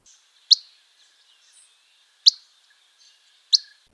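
Dusky Flycatcher giving three sharp, clear "wit" notes spaced a second or two apart, high-pitched and abrupt, with faint background twittering.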